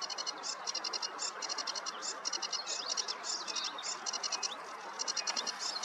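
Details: On a meadow on a warm morning, a sedge warbler sings rapid dry rattles and chattering phrases, with a few short whistled slurs mixed in near the end, continuous throughout.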